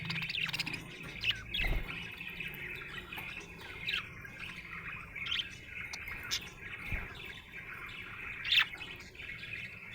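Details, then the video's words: Budgie in a happy mood warbles steadily, mixing soft twittering with occasional harsher squawk-like notes and a couple of low thumps in the background. "Happy budgie chirping sound"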